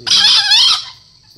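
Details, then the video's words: A 4-month-old green junglefowl utters one short, loud crow, about three-quarters of a second long. The rough, screechy note starts abruptly and then fades, followed by quiet. "kokok ayam hutan Hijau 4 bulan"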